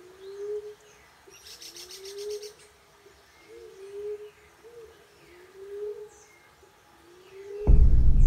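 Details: Emerald dove call played through a Bluetooth speaker to lure doves into a cage trap. Low, soft moaning coos rise gently and repeat about once a second, with a brief buzzy high insect-like rattle early on and a loud clatter at the end.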